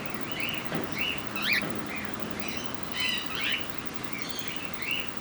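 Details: At Campbelltown Forest of Wild Birds, Saitama, Japan, on 31 March 2018, cockatiels utter scattered whistled chirps and a few harsher squawky notes, irregularly spaced, over low constant background hiss.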